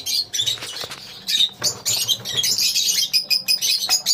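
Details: Many lovebirds together in a colony, sharp squeaks and rapid twittering building into a steady high chatter, with occasional clicks and a soft low hum.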